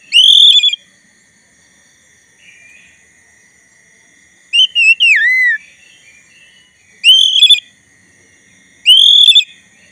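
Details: Black-breasted Oriental magpie-robin song meant to goad a rival into answering: loud, sharp rising whistled phrases about every two seconds, one with a downward slur, with a faint steady background tone.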